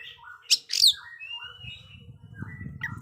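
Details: Oriental magpie-robin (kacer) singing for young birds that are still mute: two loud sharp notes, then soft slurred whistles over a steady low rumble.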